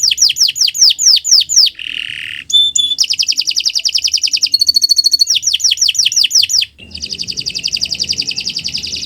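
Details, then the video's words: Canary song intended to train other birds: falling swept notes, a low buzzy phrase, a thin whistle, rapid trills and a chiming tinkling series, ending in a long fast trill over faint background noise. "Kicau Burung Kenari 179 II LUAR BIASA GACOR PANJANG Cocok untuk Masteran"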